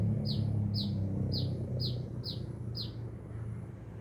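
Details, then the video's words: Sunbird singing actively in Binjai, six bright, high chirps sliding downward at a steady pace, then quiet, with a low rumble underneath throughout. "Burung kolibri gacor"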